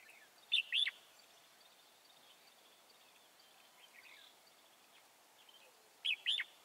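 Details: Wild-caught red-whiskered bulbul at a trapping site at Chùa Hương, 24 March 2018: two short, loud whistled phrases, one near the start and one near the end, separated by quiet, faint background hiss.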